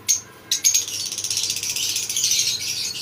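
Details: Lovebird breeding colony on a farm: two sharp shrill calls open, then a fast, rattling stream of high chattering calls pulsing several times a second.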